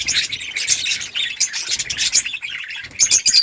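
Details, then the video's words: Several budgies, or parakeets, chattering to each other in a breeding colony, a busy mix of high chirps and scratchy warbled notes overlapping without pause, with a few sharper whistled peaks near the end. "Budgies parrot chirping sounds parakeet talking to each other"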